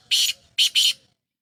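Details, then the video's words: Black francolin (kala tetar) from Sindh giving a short burst of three harsh, rasping notes, one note then a quick pair, on a quiet background. "Sindhi Kala Tetar Awaz"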